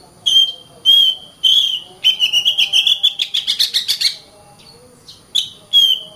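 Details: Oriental magpie-robin singing: three loud, clear whistled notes about half a second apart, then a fast burst of rapid repeated notes rising in pitch, a pause, and two more whistled notes.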